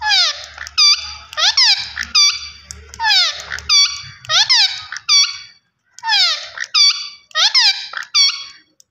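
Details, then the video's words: Green Indian ringneck parakeet talking: rapid strings of loud, harmonic, speech-like syllables with sharp downward and upward sweeps, repeated in quick bursts with one brief pause, faint low hum beneath. "Gareen Ringneck Parrot Talking Vice Always Superb"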